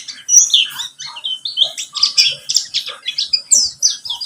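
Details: Pleci buxtomi white-eye singing as a lure for other birds: a breathless stream of high, squeaky twitters and short whistled slurs at a steady quick pace.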